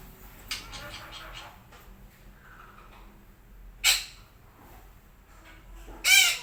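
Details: Red-breasted parakeet at morning time: a soft cluster of chattering notes, then two loud, harsh screeches, the last one longer and buzzier.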